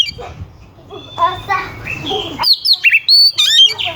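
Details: Energetic oriental magpie-robin song meant to provoke rival magpie-robins. It opens with lower, buzzy warbled phrases and then breaks into sharp, high whistles and quick slurred notes.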